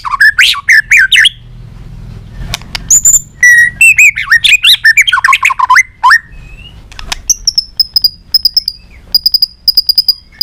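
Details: White-rumped shama performing a many-voiced song used to train and excite shamas; bursts of varied whistles, warbles and rising slurs, separated by short gaps, ending in spaced high thin notes.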